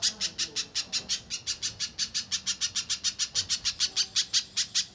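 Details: {'caption': 'Persistent little spiderhunter song meant to provoke other spiderhunters into singing: a rapid, even series of piercing, high chip notes, roughly five or six a second, with no other clear sounds.'}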